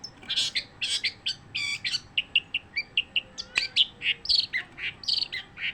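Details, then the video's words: Long-tailed shrike song delivered without a break: a steady run of short bright notes and clipped chirps, roughly one per second or faster, some with buzzy harmonics. "kicauan cendet tanpa jeda"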